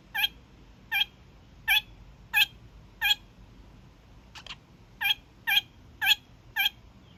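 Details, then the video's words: A young male kakariki gives its daily evening honks: about ten short, nasal, harsh honks roughly every half to three-quarters of a second, with one brief rasping note in the middle; otherwise quiet. "Kakariki Sounds"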